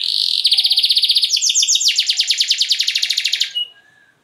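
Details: A canary with a long luxury song, aimed at stirring other canaries, gives a buzzy start and then an unbroken, very even rolling trill of rapid high notes lasting about three seconds.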